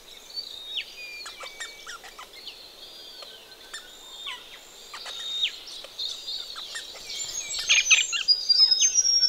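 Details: Ring-necked parrots having a thorough wash in a pond on a cool Australian morning; sparse upslurred whistles and chirps among frequent water splashes, growing into louder, busier chattering toward the end.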